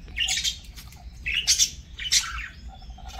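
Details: Pet parakeet during a meal giving three scratchy squawks about a second apart, each a short burst with rising and falling edges, over a low background hum.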